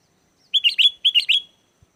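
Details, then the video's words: Lure song of a sooty-headed bulbul for calling in wild birds: two short bursts of three bubbly, liquid whistled notes each, the last note of each burst trailing off, quiet background. "SUARA GACOR BURUNG KUTILANG!! KUTILANG LIAR AUTO LANGSUNG NYAUT DAN IKUT GACOR"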